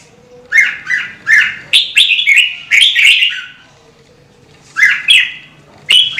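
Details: Red-whiskered bulbul song meant to excite singing; clear, liquid whistled notes in a fast cluster, then a pause of over a second before a few more phrases.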